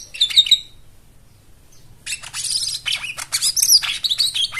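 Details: White-eye song used to coax silent birds into singing, with rich fill-in phrases: an opening burst of sharp high chirps, a short silence, then a busy, buzzy, rapid twittering stream.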